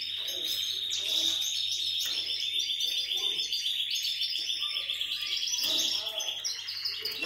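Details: Syrian canary giving a steady, continuous rolling trill at a fairly high pitch, with other chirps layered above and a low background hum throughout.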